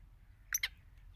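A black francolin gives two quick, harsh, grating notes about a tenth of a second apart, with a faint low rumble underneath.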